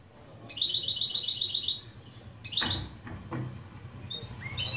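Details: European goldfinch × canary mule singing opening phrases used as a song lesson: a fast, even high trill of rapid repeated notes for about a second, then a brief pause and scattered sharper chips and short whistled notes.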